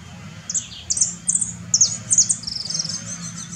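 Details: High, thin chirps of a saffron finch in Herradura, Formosa, about two to three notes per second, then a run of quicker softer twitters; faint low rumble behind.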